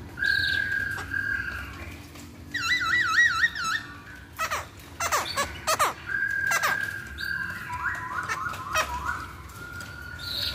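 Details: Chinese hwamei lure song; varied loud whistled phrases including long wavering warbles, steady whistles and a stepped series of rising notes, interspersed with rapid clicks and chattering chips.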